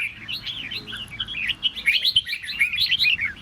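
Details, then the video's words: Red-whiskered bulbul song meant to spur other birds to sing. A continuous run of quick, chattering whistled notes grows louder and denser midway, with faint low background hum. "Chào Mào Kình Kích Chim Bạn Dễ Ché. Âm Thanh Kích Chào Mào Ché"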